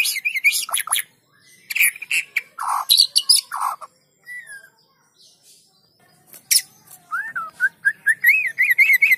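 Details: White-rumped shama song used as a lure to get lazy shamas singing: bursts of harsh chattering notes and rich whistled phrases, a pause, then a run of rising and falling warbled whistles repeated rapidly.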